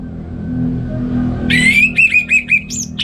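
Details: Orange-headed thrush in North Bali singing ngeplong in the morning to tutor other songbirds: a short phrase opening with a rising whistle, then four quick repeated notes, over a steady low hum.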